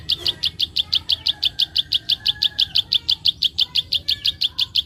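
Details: Steady clicking call of a prinia, meant to stimulate young birds. High, dry clicks repeat evenly about five per second without a break, over a soft low background hum.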